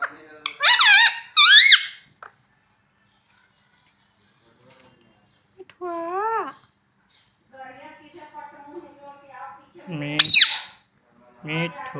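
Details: Pet talking parrot saying words such as mummy and papa: loud harmonic squawky syllables in bursts, a rising-falling mimicked phrase mid-way, quieter murmured sounds, and a final harsh shriek-like call.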